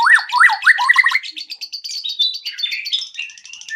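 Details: Murai batu (white-rumped shama) lure song to make birds sing quickly: rapid repeated swooping whistles at a fast pace, merging into high thin trilled notes and a dense chattering jumble.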